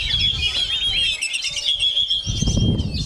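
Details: Kacer, the oriental magpie-robin, keeps singing while buffeted by strong wind; busy high twittering and whistled phrases sit over bursts of low wind rumble.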